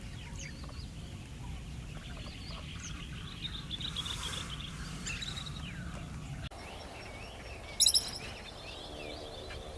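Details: A pied kingfisher on Kinmen, where it is resident, gives a brief burst of sharp, high chittering notes near the end, over faint chirps from other birds and a steady low rumble.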